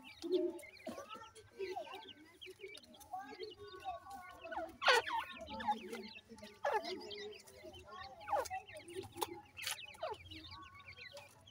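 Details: Young grey francolins peep in a busy chorus of short, high, down-slurred notes, interrupted by several sharp louder bursts and low clucking underneath.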